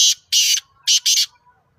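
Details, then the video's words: Kala teetar, the black francolin, recorded at Nawabshah, Pakistan. It gives four loud, harsh, scratchy notes in two pairs, a short note and then a longer one, with a brief gap between the pairs. Nothing else is heard. "Kala Teetar Ki Awaz | Black Francolin"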